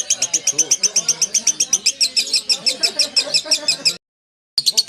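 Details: Lovebird delivering its extended 'ngekek' song, a fast, buzzy train of high, sharp chirps for about four seconds, then a brief silent cut, then the chatter resumes.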